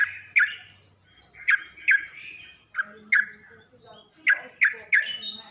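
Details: Yellow-vented bulbul song played as a tutoring recording for captive birds to learn to sing: short bubbly chirping phrases in the mid-high range, bursts roughly every half to one second with brief pauses.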